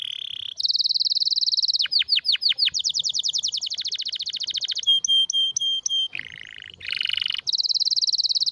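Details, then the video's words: Canary singing a strong, rare song: trills of rapid repeated notes, fast descending sweeps, buzzy rolls and clear whistled pulses, phrases changing every second or two with no other sounds. "Canário com Canto Raro e Forte – Ótimo para Seu Mestre Canário HD - CANARY SOUND MELODY"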